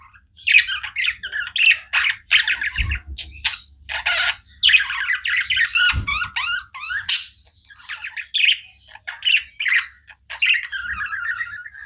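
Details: Budgies kept as pets chatter nonstop, a busy stream of scratchy warbles, clicks and bright chirps in short overlapping bursts, with a couple of soft low thumps in the background.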